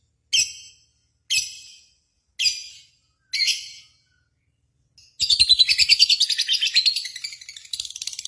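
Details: Contest-simulation lure of lovebirds meant to provoke home birds into singing: four sharp high chirps about a second apart, then a sustained, rapid, buzzy chattering trill that wavers in pitch for the final three seconds.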